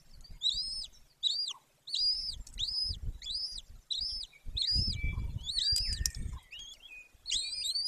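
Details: Golden eagle nest site in the Carpathian mountains of Bucovina, Romania, May 2024: a long series of shrill arched whistles, roughly one per half second, over rumbling low thuds and scraping.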